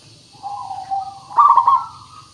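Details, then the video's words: Local zebra dove song used as a lure to make other birds sing: a soft drawn-out coo, then a loud bubbling stuttered burst, then a fading coo, over faint steady hiss and low hum. "Suara Pancingan Burung Perkutut Pikat Paling Bagus Supaya Bunyi"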